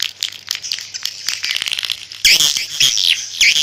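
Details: Swiftlet calls: quieter scratchy chirps at first, then from about two seconds a louder, denser burst of high, squeaky twittering from several birds.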